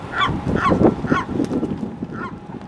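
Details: Western gull, during a squabble where one gull snatched bread tossed to another, giving four hoarse, nasal squawks about half a second apart, then one more after a pause, over steady low rumbling background noise.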